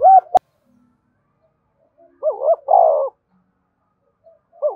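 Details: Spotted dove calling to draw in other doves, giving low mellow coo phrases: a short hooked note, then a three-part 'cu-cu-coooo' with a long falling last note, and a new phrase starting at the end.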